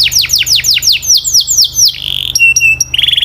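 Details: Canary singing: a quick series of downward-sliding whistles, then a sustained buzzy note, a few sharp chips and a ringing trill at the end.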